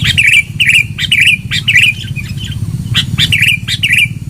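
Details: Sooty-headed bulbul song for luring: short bubbly phrases repeated about twice a second, each opened by a sharp note, with a low hum beneath.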